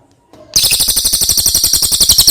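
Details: Cililin kept as a master song bird for training other birds, its voice a long, loud roll: a sudden, very high, rapid rattling trill of evenly spaced pulses that continues steadily after a brief quiet start.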